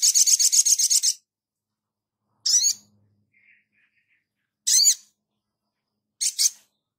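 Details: Sogon singing actively, kept as a training track for other birds: a quick rattling burst of about ten scratchy high pulses, then three separate harsh doubled notes spaced about two seconds apart.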